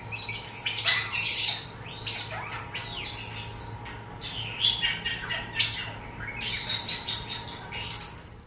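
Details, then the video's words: Young captive starling mimicking words and sounds picked up from an older male starling after four months; loud harsh squawks, rising whistles and rapid clicking bursts in quick succession, with a faint background hum. "Orbit has JUST learned new words & sounds from my older male starling, Onyx!"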